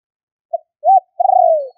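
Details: Spotted dove call used to rouse decoy birds and lure others, from a 2021 recording: a short soft note, a rounded arched coo, then a long rolling, gently falling coo, all low and mellow against a silent background.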